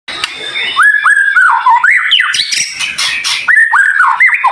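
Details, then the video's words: White-rumped shama song, dense and high-pitched, used as training audio to prompt other shamas to sing: clear whistled notes slurring down, repeated in quick phrases, then a sharper rising note and further descending whistles. "Masteran Murai Batu cepat Buka Paruh | Suara Full Variasi Paling Dicari"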